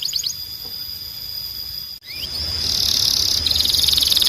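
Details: Canary singing training audio: a few short high notes and a rising slur, a brief break, then a long dense high buzzing trill that rolls on steadily with faint pulsing.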